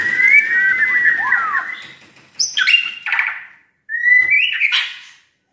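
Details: Caged white-rumped shama kept at home, never entered in contests, singing loud whistled phrases near 2k pitch: a long sliding whistle, then brief bright notes and a rising whistled ending after a short pause.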